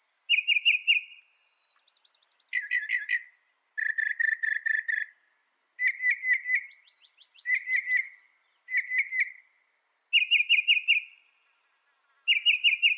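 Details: Northern mockingbird song built from varied phrases, each a rapid run of five or six identical chirping notes, the bursts following one another with short gaps and changing in pitch and tone every time.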